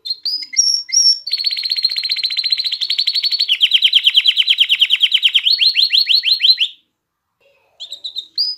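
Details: Canary song for exciting females toward mating and prompting young to sing; rising whistles lead into a long rapid trill that changes into lower rolling notes, then descending slurs, a pause and brief high calls.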